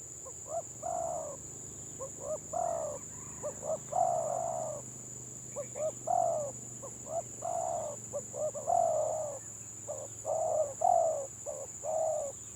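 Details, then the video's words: Village spotted dove in the gagap song style. Clusters of short and longer coos come in stammering bursts with short gaps between them over about twelve seconds, against a steady high-pitched whine. "BURUNG TEKUKUR GAGAP VS GAGAP"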